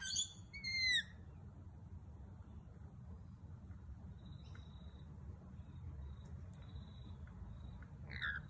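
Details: Lorikeets at a kitchen window: a quick run of sharp, screechy, harmonic-rich calls in the first second, a few faint notes after that and a short screech at the end, over a steady low rumbling background.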